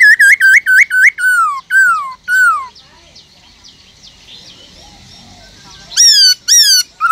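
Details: A captive Black-throated laughingthrush (Garrulax chinensis), used to stir other laughingthrushes into song, gives loud, rich whistles: quick wavering notes, slurred falling phrases, a quiet stretch of soft squeaky chatter, then more bold descending whistles.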